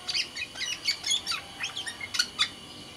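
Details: Caged black-naped oriole of the Sumbawa type, singing vigorously: scattered short chirps and sharp down-slurred notes, high and bright, in quick irregular bursts over a faint background hiss.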